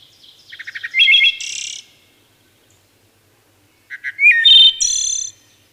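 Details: Two separate wood thrush songs, each a few soft low pulses swelling into a liquid, fluted warble and a bright, high, trilled finish, with a quiet gap between.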